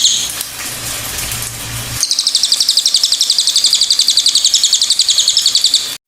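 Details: Pied fantail calls: after a faint opening, a rapid, even series of sharp, very high ticking notes repeated many times per second for about four seconds before stopping abruptly.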